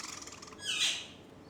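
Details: Pet Java sparrows fighting: one harsh, noisy, sharp call rising into a brief loud burst that then fades, with a soft rhythmic fluttering background.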